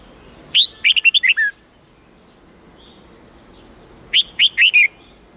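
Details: Red-whiskered bulbul song for training young birds: two bursts of clear, bright whistled notes, each a quick run of four or five, the first phrase ending on a lower falling note, about three seconds apart.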